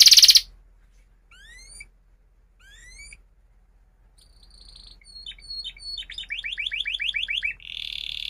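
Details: Canary song used as a lure for young canaries learning to sing: a short burst, two sparse rising whistled notes, then fast high trills building into rapid rolled phrases.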